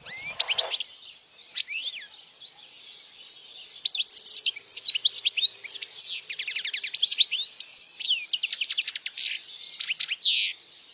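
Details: European goldfinch singing loudly, a recording meant for young goldfinches to memorize and to attract females; rapid bright twittering of quick rising and falling notes, buzzy trills and ringing phrases, a short burst then a long dense stretch.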